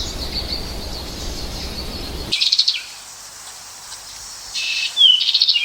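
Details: American goldfinch giving short, bright, high, rapid twittering bursts and one quick slurred whistle; a steady hiss fills the first two seconds.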